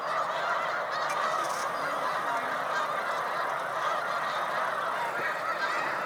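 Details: Large Snow Goose flocks at a spring stopover on Cayuga Lake, New York, in March 2021 keep up a continuous, blended honking chorus, with a few faint soft rustles and knocks.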